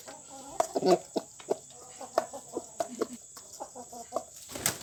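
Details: Pelung chicken being given a homemade remedy for a snoring, rattly crow: short repeated clucks with brief pauses between them.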